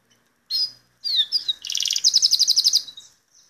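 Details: A Belgian canary sings high, sweeping whistles, then a fast, even trill of bright repeated notes, about a dozen in a row; nothing else is heard.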